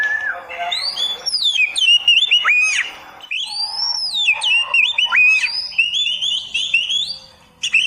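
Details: Oriental magpie-robin delivering a beginner's tutor song: a continuous, rich stream of clear slurred whistles, rising and falling arcs and quick high trills, with a brief pause midway.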